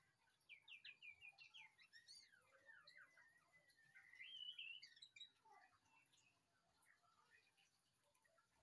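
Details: White-rumped shama, kept as a calming coffee companion, sings a fast series of rising and falling whistled notes that builds to a loud trilled flourish, then fades to sparse soft notes.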